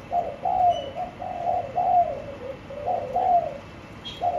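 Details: Spotted dove kept in a cage with a blue base gives a steady run of mellow, slightly falling coos strung closely together, then a brief pause and a final coo.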